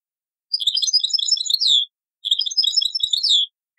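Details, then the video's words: Taqsrain-style European goldfinch song from an old cassette recording: two bursts of dense, bright twittering, each about a second long and ending in a falling slurred note, separated by a brief silence. "تغريد تقصراين من كاسيت قديم"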